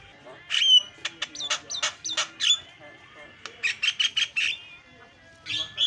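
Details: Javan myna lure recording meant to make other mynas call: bursts of harsh, raspy squawks with bright ringing overtones, grouped in quick runs separated by short pauses.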